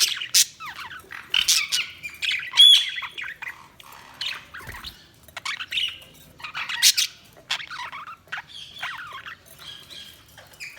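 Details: Budgie chatter: dense, busy run of scratchy squawks, clicks and short rising and falling chirps, with a few clearer whistled notes, continuing almost without pause.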